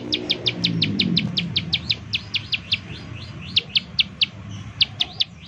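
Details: Bar-winged prinia giving its lure call to draw song from other prinias: quick high ticks in a dense run, then thinning to scattered, irregular notes; a low rumbling noise fades out early on.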